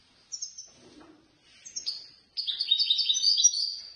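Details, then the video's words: European goldfinch ranked third in a Casablanca bird lovers' association competition. A few separate sharp chips and a slurred call lead into a quick, dense, tinkling twitter of high notes. "الحسون الفائز بالرتبة الثالثة في المسابقة التي نظمت من طرف الجمعية البيضاوية لمحبي الطيور"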